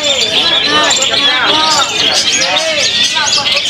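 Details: A long-tailed shrike in Indonesia gives a dense, busy stream of high chirps and trills with lower, slurred arching notes, over a background of human voices.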